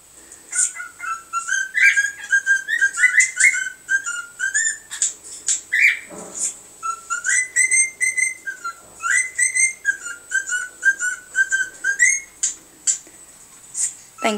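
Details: A male pet cockatiel listens to other cockatiels played on YouTube and tries to mimic them, giving repeated whistled notes and chirps.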